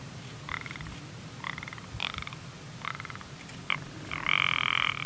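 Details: Rock ptarmigan calling with a series of short, clipped, rattling croaks spaced about a second apart, ending in a longer, louder grating rattle, with a steady low hum behind.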